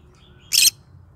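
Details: A pet yellow-sided green-cheeked conure singing in the morning gives one short, harsh, broadband screech that ends abruptly, against a quiet room.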